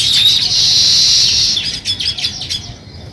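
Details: Sparrow chirping as nest building starts: a sustained bright chattering chorus, then a run of distinct quick chirps, about four per second, fading at the end.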